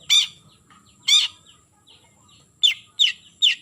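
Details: Long-tailed shrike calling a rival with loud, harsh, broad-band rasping notes, two spaced about a second apart, then three in quicker succession.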